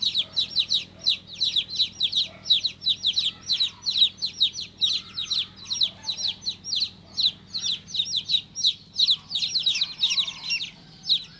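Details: Baby chicken chick, newly hatched, peeping continuously: sharp high descending chirps packed closely together, nearly three per second, steady and insistent throughout, over a quiet low background hum.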